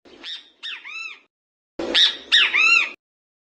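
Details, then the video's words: A great kiskadee (bem-te-vi) gives two loud, harsh three-part calls, each a rising note then buzzy arched slurs, about a second apart. "BEM-TE-VI bem-te-vi-de-coroa, bem-te-vi-verdadeiro"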